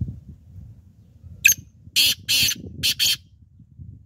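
A black francolin gives a sharp opening click, then four harsh, grating notes in quick pairs, with a faint low rumble beneath.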